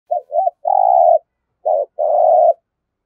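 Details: Spotted dove from Đồng Nai, Vietnam, in dueling 'thúc gù' competition cooing: two short rising notes, then a long even low coo, followed by a brief note pair and another drawn-out coo.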